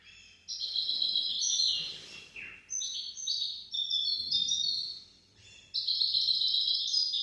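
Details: Goldfinch-canary hybrid singing a long, continuous warbling song of high trills and rolling phrases, with brief pauses between sections, used for tutoring young goldfinches and canaries.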